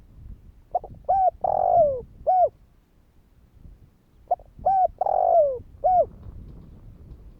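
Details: Spotted dove in Vietnam calling to prompt other doves to answer. Two cooing phrases about three seconds apart, each a short note, a double coo, then a long falling coo and a final clipped coo. Faint low rumble underneath.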